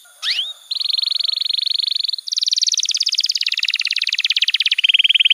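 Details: Canary master song for young canaries: a single rising whistle, then sustained rapid rolled trills held at steady pitches, shifting higher and then lower in separate runs.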